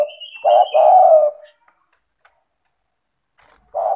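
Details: Spotted dove (tekukur) in full voice, used as a lure to prompt lazy doves to call: a thin high whistle, then one loud, low, hoarse cooing phrase, and a new coo starting at the end.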